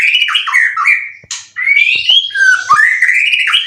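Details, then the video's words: Competition-ready caged white-rumped shama, three moults, repertoire full of cililin; energetic whistled and warbled phrases with sweeping upward slurs, a brief pause midway, then quick varied notes. "Burung Murai prestasian udh kondisi 90% materi full clilin siap turun Lg!"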